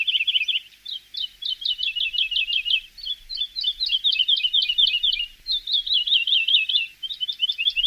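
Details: Training song of a Javan bush lark for cage birds: continuous fast, scratchy chattering in linked phrases of rapid high notes, with brief breaks between bursts throughout.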